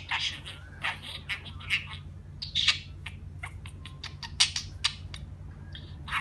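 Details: Budgerigar giving uneven bursts of high, squeaky chirps and raspy, clicking notes, some bursts sharp and loud, others soft, with short gaps in between and a steady low background hum.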